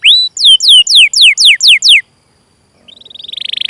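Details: Canary tutor song used to prompt young or silent canaries to sing: seven loud, high whistled notes sweeping steeply downward at a steady pace, a brief pause, then a rising buzzy trill.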